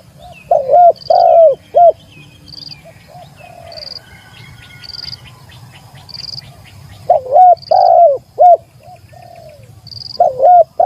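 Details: Spotted dove challenging a rival with two bursts of rolling coos, each a cluster of three or four arched notes, separated by a quiet gap filled with faint chirps and a high pulsing tone.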